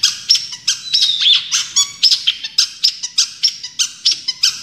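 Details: Champion Long-tailed shrike singing full tembakan. Short, harsh, squeaky notes come in a fast, fairly steady beat about four per second, mixed with a few thin, high whistles.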